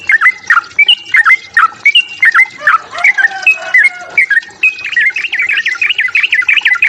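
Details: A sooty-headed bulbul's fighting song, aimed at provoking rivals: clear flicked whistles repeated steadily, turning near the end into a faster, denser chatter of zigzag notes.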